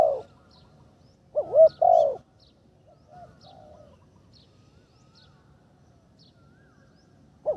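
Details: Ground decoy spotted dove during its third training session. One clear phrase of looping double coos and a sustained low coo, followed by faint softer coos and a long quiet pause before another phrase begins.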